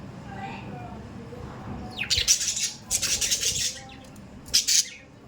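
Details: Pet budgies, quiet at first, then breaking into harsh, scratchy squawks in two stuttering bursts, followed by a brief final screech.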